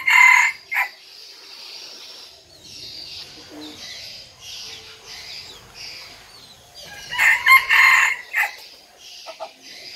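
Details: Small decoy red junglefowl cock, a frequent dawn crower in Vietnam, giving two loud crows several seconds apart, each a choppy series of ringing bursts, with quieter calls and background noise in between.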